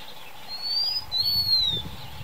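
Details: Blue-winged minla uttering a single high, thin two-note whistle: a brief rising slur followed by a drawn-out note that sags gently, with low rustling and a soft background hum.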